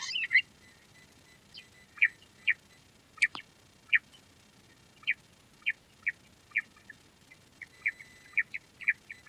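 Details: Quail, known as Queen quail or lohari, uttering short, sharp chirps spaced about half a second to a second apart, with one higher squeak near the middle.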